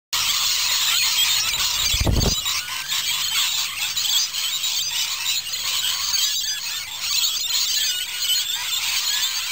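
Rainbow lorikeets keep up a continuous shrill, harsh screeching chatter, high-pitched and dense, with a single dull thump near two seconds.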